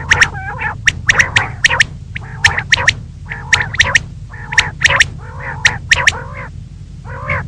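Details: Female common quail calling in the morning: harsh, clicking squawks mixed with nasal, buzzy notes and brief high whistles, roughly one burst per second, with a steady low hum underneath.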